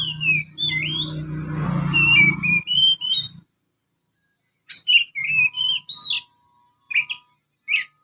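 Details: Juvenile Oriental magpie-robin singing quietly with imitated house sparrow notes. Long looping whistled slurs over a low rumbling hum, then a silent gap and separate sharp chirps and short warbled phrases.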